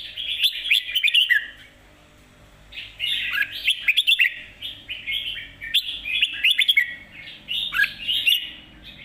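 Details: Red-whiskered bulbul delivering lively mae bot song, dense rolling warbled phrases in three or four bursts with a pause in between, quiet background.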